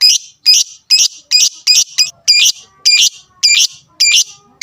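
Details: Lovebird fighter sound used to rile up rivals: loud, harsh, shrill chirps repeated about twice a second in a steady, slightly uneven series, with no other clear sounds.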